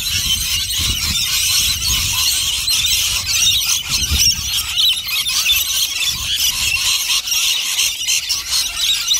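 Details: Many rainbow lorikeets gathered at a nectar feed, a constant wall of shrill squeals and chattering screeches overlapping throughout, with faint low rumbling underneath.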